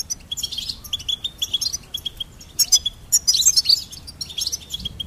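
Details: Goldfinch song in crisp, high twittering phrases, runs of repeated chirps broken by energetic, tinkling trills, recorded cleanly with little background noise.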